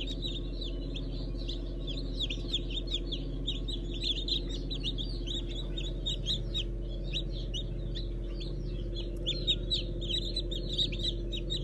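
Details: Newly hatched chickens of Brahma, Fizan and Habeş stock, 15 June 2019: a dense chorus of short, high peeps overlapping continuously from many birds, over a steady low mechanical hum.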